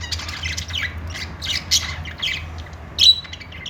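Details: Happy budgerigar chatter: a busy run of short, harsh, scratchy squawks and chirps, ending with a louder sharp note, low hum beneath.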